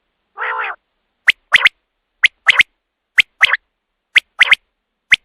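Common quail: one low nasal growl, then four sharp three-note 'wet-my-lips' phrases, about one per second. Nothing else is heard against a silent background.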